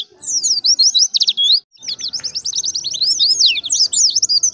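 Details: White-eye giving ngalas-style training song: long, high-pitched streams of quick slurred twitters and whistles, nearly continuous apart from one brief gap, with a soft low background murmur.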